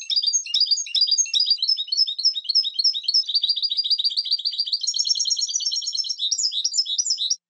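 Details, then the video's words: Goldfinch singing a fast, unbroken stream of bright tinkling twitters, sharp high notes and short rattling trills, with a clean silent background. "canto de jilguero"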